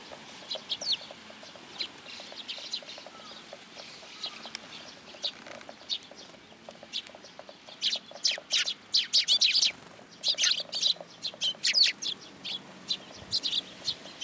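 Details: Several sparrows flocking in to be fed at a Tenmangu shrine, 10 July 2022. Soft, sparse chirping at first grows into dense bursts of high, sharp chirps in the second half, with faint wing flutters.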